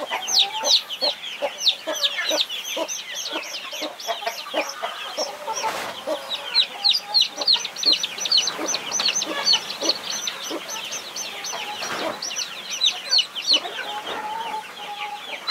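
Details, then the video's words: A mother hen with 21 baby chicks she is protecting: rapid low clucking pulses run throughout, overlaid by a continuous chorus of shrill, high chick peeps. "Mother hen protecting her 21 Baby chicks"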